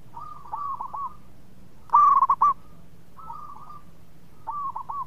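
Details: Sweet-singing local zebra dove used as a lure for other doves' song: one loud, fast series of bubbling coos near the middle, flanked by fainter trilled coo phrases.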